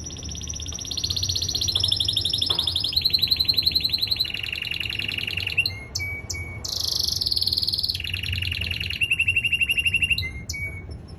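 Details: Male canary in singing training delivers a long song of fast, even trills at shifting pitches, some rolls high and thin, others lower and fuller, separated by short upward chips and brief pauses.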